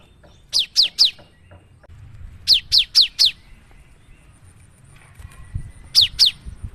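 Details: Cinereous tit song used as a lure for other birds: loud, sharp, descending notes in groups of three, then a pair, separated by pauses, with low rumbling background noise.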